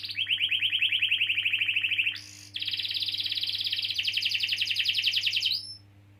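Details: Canary delivering a long roll to lure young or non-singing canaries into song: a fast, even trill of repeated notes for two seconds, a brief harsh burst, then a second, higher rapid roll ending in a rising note; steady low hum beneath.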